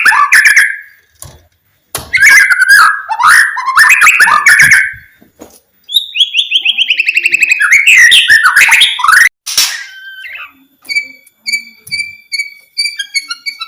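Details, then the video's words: Loud, rich song of a white-rumped shama, played to urge quiet birds to sing: dense runs of slurred whistles and rattling trills, then a fast rising series of notes, ending in spaced, clear high chips. "TERGODA DENGAR SUARA KICAUAN MURAI BATU INI"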